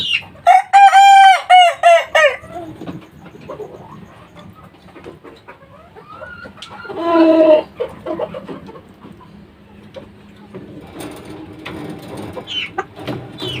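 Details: Young kukuak balenggek chicken, three months old, crowing: a loud rich crow broken into about eight rapid stepped syllables over two seconds, then a shorter harsher burst a few seconds later, with faint clucks and chirps in between.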